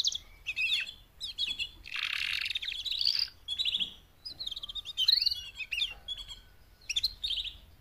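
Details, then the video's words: Four female canaries make mating calls intended to get males singing louder; an uneven run of buzzy chatter, clipped chirps and curving whistled notes, with many brief pauses. "BEST mating call 4 females canary EVER to MOTIVATE your CANARY to sing LOUDLIER"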